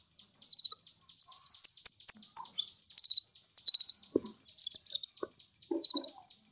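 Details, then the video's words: Sunbird singing vigorously: bursts of very high, rapid chirps and short buzzy trills, clustered in groups about every half second, with a few faint lower clicks near the end. "suara burung kolibri ninja gacor"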